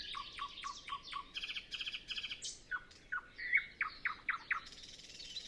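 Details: Pre-dawn nightingale song on a still morning with no other birds yet singing; rhythmic repeated strokes, buzzy rattles, then a run of loud descending notes repeated about every third of a second.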